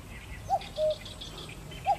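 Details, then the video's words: Eurasian cuckoo giving its two-note call: a short higher note dropping to a lower, slightly longer one, with the next call beginning about a second and a half later over a faint steady background hiss. "뻐꾸기 - Cuculus canorus - Eurasian Cuckoo - 布谷"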